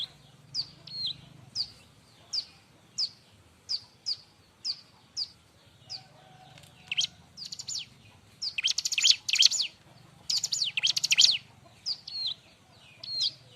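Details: Busy Bar-winged prinia song used for training other birds: evenly spaced high chirps about every half second, then two dense, harsh, buzzy bursts later on, over a steady low hum.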